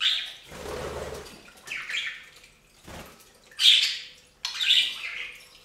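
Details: Bathing budgies at a fountain; splashing water breaks in twice while the birds give grating squawks and bright chirps in uneven bursts.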